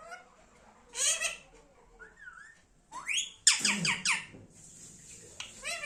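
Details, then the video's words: Pet Indian ringneck parrot gives harsh, high squawks in quick bursts with a short rising whistle between, indoors in a small room. "Funny parrot sound video"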